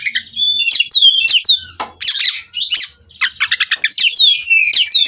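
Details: Bred white-rumped shama from Cirebon singing nonstop: sharp downslurred whistles, harsh noisy bursts and fast rattling trills, with occasional short pauses.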